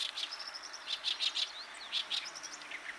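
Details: Oriental reed warbler singing: harsh, grating chattering notes in quick bursts, several per second, with thin high whistled notes threaded between them over a faint hiss of outdoor background.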